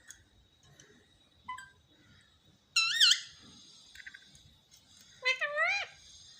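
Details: Pet talking parrot, said to say "mummy mummy", indoors: two loud, short harmonic utterances with wavering pitch, one early and one late, and a few faint chirps between, over a steady high hiss.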